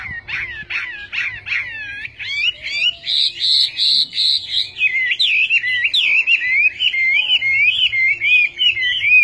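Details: Chinese hwamei delivering a loud, varied song: quick repeated whistled notes, then a sustained bright trill, then rich, wavering, warbled phrases that rise and fall in pitch.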